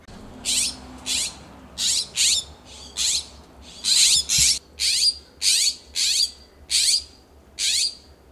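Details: California scrub-jays in a Pacific Grove, California backyard, perched in a coast live oak and a Monterey cypress, calling back and forth. About twelve loud, harsh, rasping calls repeat roughly every half second to second, some paired closely together.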